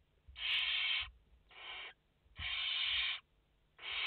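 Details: Barn owl chicks, five of them in the nest, on a live feed on 29 August 2021, give long rasping hisses of about half a second, four bursts with short silent gaps between them.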